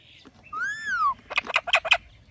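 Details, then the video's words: Parrot calling "Mithu": one smooth arched whistle-like note, then a quick run of four or five harsh, raspy bursts. "Parrot Calling Mithu Mithu"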